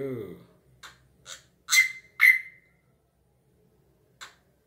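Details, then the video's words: Drongo singing along to the rhythm of a person's hand: soft clicks, then a loud pair of sharp, explosive notes, each trailing into a short high whistle, and a final lone click; a brief human voice at the start. "BURUNG SRIGUNTING SUARANYA MENGGEMAH"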